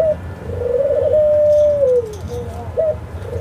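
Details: Australian dove giving one long, steady coo that swells, holds its pitch and then drops away at the end. Quieter short coos follow, over a faint low hum.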